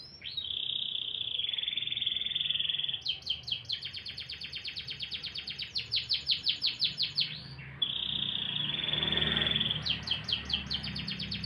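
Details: Canary in morning song, long held whistles alternating with rapid, rhythmic trills of sharp high notes, loud and continuous over a faint background hum.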